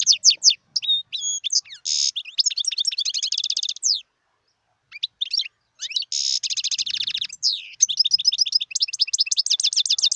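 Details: Continuous song of a wild European goldfinch, fast bright twitters, buzzy rasps and rapid rattling trills, with a short gap in the middle before a long energetic stretch of high chattering notes.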